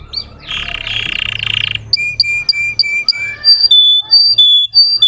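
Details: Russian-type canary singing to provoke other, untrained canaries: a harsh buzzy pulsed roll, then a string of short clear whistled notes at two pitches over a faint low hum.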